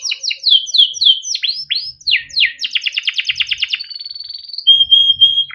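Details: Canary song used as a training recording to make young canaries sing, bright rolling phrases: falling whistled notes, a rapid trill repeated about every tenth of a second, then a steady high whistle.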